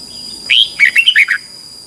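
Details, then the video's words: Red-whiskered bulbul, competitive morning song in the 'ché' style used to train birds: one brisk phrase, a rising whistle then four fast, bubbling slurred notes, against a steady high-pitched hum. "Luyện chào mào hót sáng 2021 | chào mào hót đấu"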